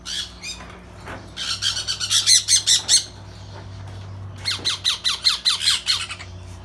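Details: Sun conure (Aratinga solstitialis) chicks, just starting to eat, give rapid, rasping squawks in two bursts while begging for food.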